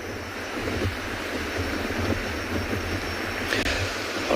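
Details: Outdoor afternoon safari scene in South Africa, heard as steady wind buffeting the microphone over a low rumble, with a brief sharp knock near the end and no animal voices.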